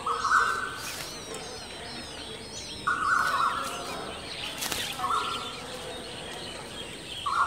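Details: At a nest with eggs and chicks, a Striated babbler gives rasping buzzy bursts roughly every two seconds, over a chatter of thin high chirps and steady ambient noise.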